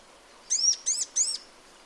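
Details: Sunbird calling in its natural habitat, three evenly spaced high, curved chirps within about a second, then quiet hiss.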